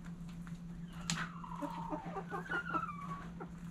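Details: Hens in a backyard flock at sunrise: a sharp burst, then drawn-out, slightly descending tonal calls and a higher whining note, with soft clucks and faint clicks and a steady low hum beneath.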